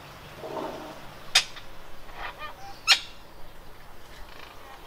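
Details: A mated pair of Red-breasted parakeets occupying a nest box in northeastern Thailand: two sharp, harsh squawks about a second and a half apart, with fainter chatter and a soft low murmur between them.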